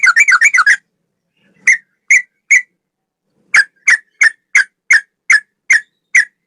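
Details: Tutor recording of a male sooty-headed bulbul with song resembling a straw-headed bulbul's. A quick rattle of six notes opens, then after a pause clear sharp whistled notes repeat evenly about every third of a second.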